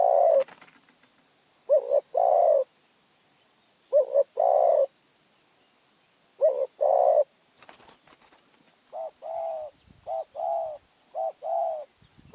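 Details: Spotted dove from Phrae, Thailand, delivering clean repeated coo phrases, each a quick double note followed by a longer rounded coo, then a faster run of short coos, with brief clicks between phrases.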